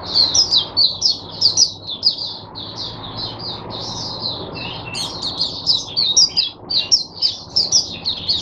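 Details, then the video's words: High, sweet warbling from a caged oriental white-eye acting as teacher bird for fellow white-eyes, Sunday 22 January 2022; quick chattering notes flow in one continuous string, briefly softer midway, then pulse again. "teacher bird for my other mata putehs"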